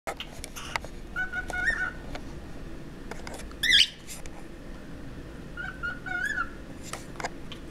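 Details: Two pet cockatiels give warbling whistled phrases and one sharp, loud rising call, with soft clicks in the background.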